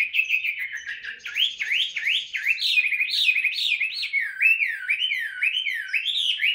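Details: Tame Chinese hwamei kept in a cage, in voice-training song: a steady string of loud, swinging whistles, each rising then dropping, repeated many times with little pause.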